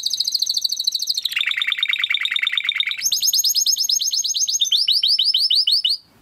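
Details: Timbrado canary song for training: fast, even trills that shift in pitch in steps, first high buzzy rolls, then a lower rapid rattle, then bright high repeated notes, ending abruptly.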